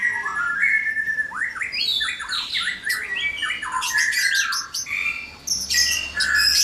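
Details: Noisy white-rumped shamas in a breeding cage at dawn: rising whistled sweeps mixed with harsh squawks and dense chattering bursts, several voices overlapping against a low background hum.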